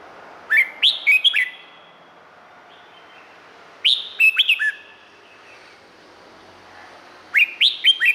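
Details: Song of a Red-whiskered bulbul from Thailand, a recording meant to excite or train other birds: three fast bursts of four to five rapid, sharply rising whistled notes, each burst followed by roughly two seconds of near silence.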